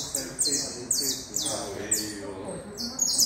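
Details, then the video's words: Saffron finch, known locally as canario da terra, giving short bursts of high descending notes separated by brief pauses, with a soft low background hum. "Canario da terra"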